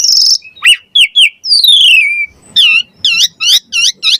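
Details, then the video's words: Javan pied starling song for training songbirds: a varied loud sequence of whistled rising and falling notes, a long descending slur, then a rapid run of repeated arched chirps, no other sounds. "Suara Jalak Suren Gacor Mompa Variasi Isian Mewah Cocok Buat Masteran & Pancingan Burung Jalak"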